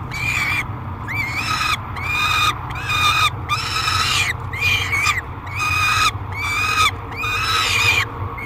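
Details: At the Great Spirit Bluff falcon nest box, July 3, 2021, an aggressive peregrine falcon screams while fed: a steady series of about eight grating, slightly wavering wails, each under a second, with brief pauses and a low hum beneath.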